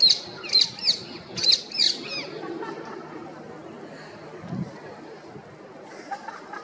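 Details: Female rose-ringed parakeet gives a rapid run of sharp, high chirps over the first two seconds, then quieter scattered squeaks over faint background hum.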